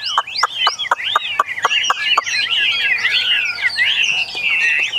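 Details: Chinese hwamei number three, caged and starting to sing: a run of sharp separate clicking chips, then a fast rich warble of tumbling whistled notes.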